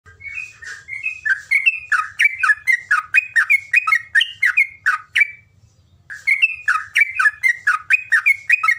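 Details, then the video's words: Yellow-vented bulbul tutor song in the long 'ropelan panjang' style: bubbly, warbled phrases of quick rising and falling whistles, delivered in a steady run, a brief pause, then resumed, with a faint low hum underneath. "MASTERAN TEROCOK, GAMPANG BUNYI..ROPELAN PANJANG"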